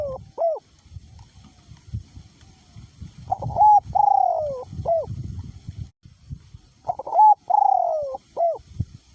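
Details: Decoy spotted dove cooing steadily through strong wind, its voice small to medium. Two full phrases, each of short upswung notes, a sustained coo sliding downward and a brief hooked close, separated by gusty low rumble.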